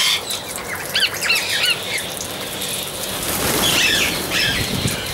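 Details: Amazon parrot giving a short series of harsh, upswept squawking calls in quick bursts, with a second burst of call notes later, over a steady hiss and crackling background.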